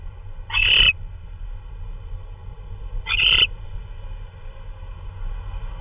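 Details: Owl delivering a hard-to-identify prey item, perhaps a vole, at 3:12 AM on 16 March 2013: a pair of brief, rasping, slightly whistled calls about two and a half seconds apart against constant low background rumble.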